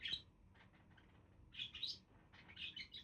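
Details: Budgies give bursts of high, scratchy chirps and warbles. A sharp note opens the run, and two busier clusters follow after a brief quieter gap, over faint low background noise.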